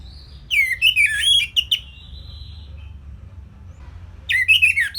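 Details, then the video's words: Orange-headed thrush with a simple song used as a master recording for songbirds: a quick flurry of twisting, slurred whistles, a thin sustained high tone, silence, then a fresh burst of rapid whistled notes. "Kicauan Simpel ANIS MERAH Gampang Untuk Ditiru Sebagai Masteran"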